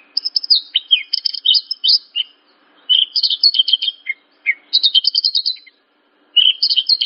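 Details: Horsfield's bush lark song used as a training recording for young or untrained larks: rapid high chirping bursts of clipped twittering notes, in phrases of one to two seconds separated by short silences, clean background.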